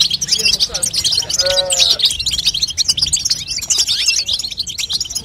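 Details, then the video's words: Call of a female European goldfinch, used to push a young goldfinch into singing: busy high-pitched twitter of quick chirps throughout, with a short lower tonal whine partway through. "بتبته لتقويه فرخ الحسون تخلي يغرد غصب عنو"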